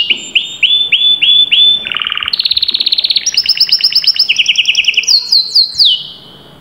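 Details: Canary singing a chain of rising whistled notes, a low buzzy roll, then rapid trills stepping up in pitch and closing with sharp high slurred notes.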